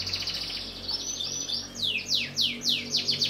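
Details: Canary (Serinus canaria), possibly black-red or yellow variety, sings a bright, high trill of rapid notes, then a run of descending whistled sweeps repeated about four times a second.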